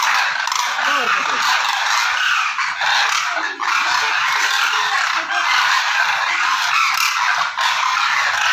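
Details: Migrating demoiselle cranes (koonj) give a thick, unbroken chorus of rasping trumpeting calls. Many voices overlap at once, with brief dips in loudness around the middle.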